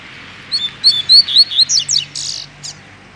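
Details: Double-collared seedeater singing Mack style, a caged bird in good voice: a run of about eight high clear whistles and slurs, speeding into buzzy notes, over a steady low background hum.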